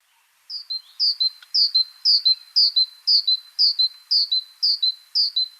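Great Tit singing a loud, ringing two-note phrase, high then lower, repeated about twice a second in a steady see-saw series.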